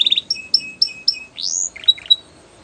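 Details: Belgian canary song phrase of short chirps, evenly spaced paired high notes with lower tails, a long upswept whistle, then a few quick dropping chips.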